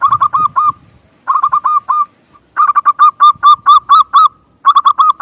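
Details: Zebra dove of a local strain, played as a lure to get other birds calling: repeated phrases of quick, rolling, hooked coos with brief silences between them and a faint low rumble at the start.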